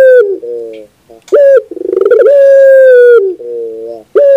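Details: Barbary dove song from a bird-training recording: a short low coo, a rolling burr swelling into a long steady hooting note, then a quavering lower coo, loud and clear.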